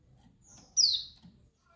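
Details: Calling female dakbal white-eye, used to stir males into aggression and mating excitement. A thin high whistle leads into one loud, bright note that drops quickly in pitch, then quiet murmur.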